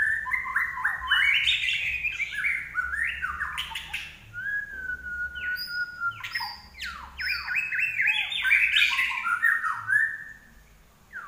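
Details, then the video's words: Common iora, a caged songbird from Indonesia, singing hard: rapid, jumpy whistled and chattering phrases, one long level whistle in the middle, then more busy warbling. "larwo Gacor"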